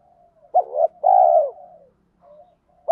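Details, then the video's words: Spotted dove lure giving 'thổ pha' style cooing, the fast 'thúc gù' meant to make wild birds coo in reply. One soft, deep, two-part coo, a short note then a longer sustained one, trailing into faint murmurs. "chim cu gáy mồi giọng thổ pha thúc gù như máy khâu, bổi nghe ức chế gáy theo, mở là gáy"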